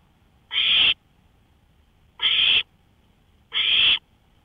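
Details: Owl calling at 1:53 AM on 5 May 2013, recorded from a porch. Three harsh, hissing screeches, each about half a second long, arrive roughly every one and a half seconds over a quiet background.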